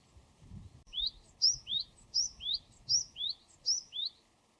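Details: Wild Japanese tit, Parus minor, singing a clear, high two-note phrase, a sharp note then a lower rising slur, repeated steadily about four times, with faint low background rumble.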